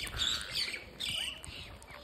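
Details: Parakeet being fed, with brief harsh rasping calls and a few curved chirps in quick succession over background hiss.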